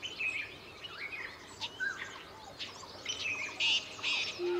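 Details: Verditer flycatcher (Eumyias thalassinus) in Himachal Pradesh, India, giving short, high chirps and thin whistled notes at an uneven pace, with other faint bird notes and steady background hiss.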